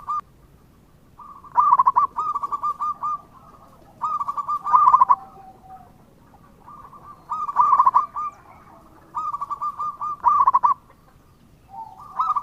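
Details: Local zebra dove singing persistently as a lure so other doves respond: repeated bursts of fast stuttering coos, about every two to three seconds, each tailing into drawn-out softer notes.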